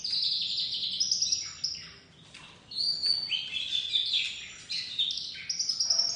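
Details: Domestic white canary chick with a crest trying out its song: bursts of high buzzy warbling and slurred whistles, broken by a short quiet gap.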